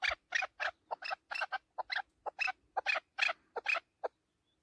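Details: Chukar partridge, a hunting bird heard in excited song: a rapid, steady run of loud, rasping chuk-chuk notes, roughly three per second, continuing without pause before stopping abruptly.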